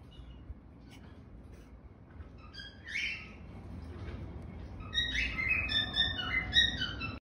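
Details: Grey cockatiel chicks in Madurai give harsh, raspy begging calls in quick bursts while being hand fed.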